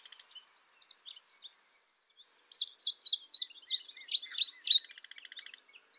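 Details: Indigo bunting: soft buzzy trills at first, a brief pause, then a loud run of rapid, high downslurred chirps before fading back into quieter buzzing notes.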